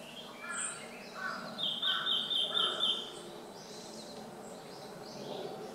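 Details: Red-billed leiothrix, wild bird recorded 11 November 2012, loudly calling: a quick run of shrill, high notes over lower paired chips, lasting about two seconds, against a steady background hiss.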